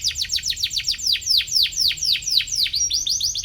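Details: Atlantic canary chirping as if in search of a rival, song used to teach young canaries; a steady series of loud downward-swept whistled notes, roughly four each second.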